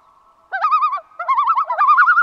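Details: A Common Loon gives its tremolo, two quick half-second bursts of rapidly wavering, laughing mid-pitched notes, over a quiet background. The tremolo is often used to signal danger or call for help.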